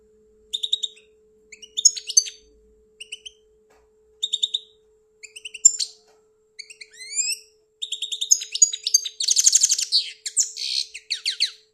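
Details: European goldfinch from Algeria, a pet bird, singing spaced clusters of high twittering notes and rising slurred whistles that build into a dense, buzzy trilling passage.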